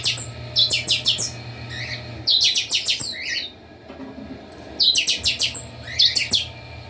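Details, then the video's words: Group of captive Chopi blackbirds at a breeder's aviary in a lively chorus. Rapid clusters of sharp, high chirps alternate with short, lower whistled slurs, set over a constant low droning hum. "Baderna com todos os chanchões"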